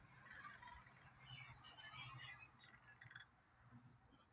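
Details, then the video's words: A crow hanging out and making unusual noises: a run of soft, harsh squawking and chattering notes over the first two and a half seconds, then quieter, against a steady low hum. "Crow hanging out making cool noises"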